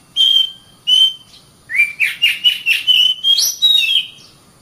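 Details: Oriental magpie-robin (kacer) training song for caged birds, best used in morning or evening: two long clear whistles, then a run of rapid varied whistled and chirping notes, ending on a rising sweet whistle.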